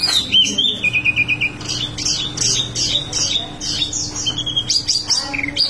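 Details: Wambi mini singing actively in a rolling style: high, sharp chirps and short whistled notes in quick bursts, with a brief steady trill near the start, over a faint low steady hum.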